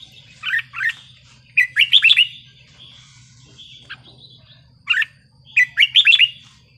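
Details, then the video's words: Red-whiskered bulbul singing a wild-style song in Thailand, kept as a cage bird: short bursts of bright, bubbling whistled phrases in groups of two to five notes, separated by pauses, over a low steady hum. "นกกรงหัวจุกเพลงป่า สำนวนเพราะ ๆ"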